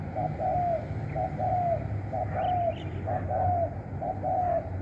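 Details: Spotted dove used as a decoy to call in other doves, giving the khrun call style: paired low coos, a short note then a longer falling one, repeated about once a second over steady low rural background noise.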